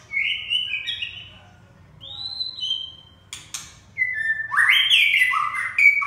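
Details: Red-whiskered bulbul giving sweet whistled phrases, pausing, then breaking into a loud, rapid warble of sliding notes, with a burst of clicking in the middle.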